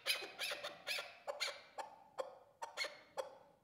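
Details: A Qubodiyon hunting chukar partridge gives a string of sharp, clipped chucking notes. They come quickly at first, then are spaced more unevenly and fade slightly toward the end.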